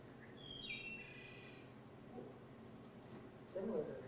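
One clear, flute-like Wood Thrush phrase, fluty notes sliding into a short ringing trill, over a hum of room noise with a brief voice near the end.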